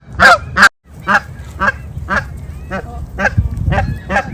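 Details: Wild Canada geese chasing one another in winter snow, honking loudly: a fast series of harsh, nasal honks about twice a second, with a brief silent break early and low rumbling background noise.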